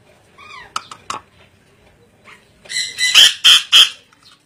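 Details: Ornate lorikeet: a few soft clicking notes, then three loud, shrill, grating screeches in quick succession near the end.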